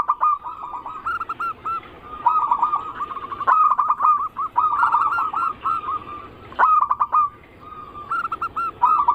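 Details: Zebra dove cooing song meant to draw song from other zebra doves: rhythmic runs of hooked coos in several bursts, each introduced by sharp clicking notes, with short quiet gaps between.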